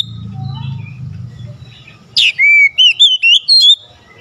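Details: Oriental magpie-robin singing to spur a lazy bird: after low rumbling noise, a sharp downward note leads into a short series of clear, looping whistles, some rising, some falling.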